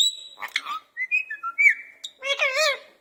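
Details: Parrot kept in a cage, talking in a cat-like voice: steady high whistles, a run of short stepped notes, then a wavering harmonic meow-like call.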